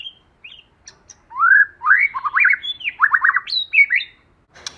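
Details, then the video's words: White-rumped shama pair used as lure birds, singing in a forest voice: soft opening notes, then a loud rich sequence of swooping whistles, rapid rolling trills and high sweeping notes, ending with a click. "Choè lửa hót giọng rừng"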